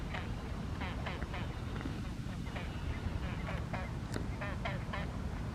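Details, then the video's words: Great crested grebe at Lazise on Lake Garda, Italy, on February 23, 2023, emitting loud noises: harsh, nasal, rattling calls repeated every half second or so over a strong, steady low rumble of wind or water. "Great crested grebe emitting loud noises"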